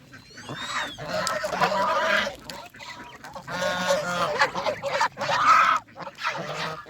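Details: Domestic geese at a countryside farm give rapid, uneven bursts of strident honks, with short quiet pauses between groups of calls.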